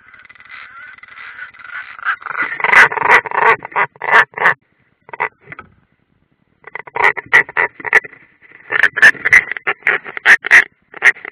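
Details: European roller, possibly unringed, at the Ādaži training area in Latvia on 30 June 2016, from a live stream: harsh, crow-like rasping calls in rapid bursts, several per second, with a brief pause midway.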